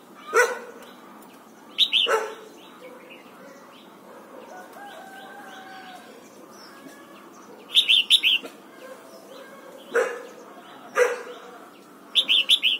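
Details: Red-whiskered bulbul singing in the morning during voice training, urged toward the wild-style double-note song: short, bright, bubbly three-to-four-note phrases repeated every few seconds, with sharp clicks and faint chirps from other birds in between.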